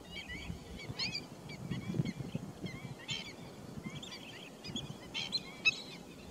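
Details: Pheasant-tailed jacana on 28 July 2021: scattered mewing, curved call notes at irregular intervals, fainter than before, with strong low-pitched rumbling noise underneath.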